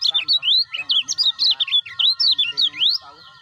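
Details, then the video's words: Lemon-bellied white-eye sound used to stimulate caged birds into calling: fast, bright warbled phrases of slurred, rising and falling whistles repeated densely for about three seconds, then fading, over a faint constant background hum. "TERNYATA INI PANCINGAN MASTERAN - UNTUK KECIAL MACET - KECIAL BARU"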